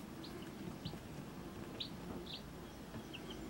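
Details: Baby chicks with their mother hen: brief, high, thin peeps scattered irregularly, about eight over a few seconds, faint against a steady low background rumble.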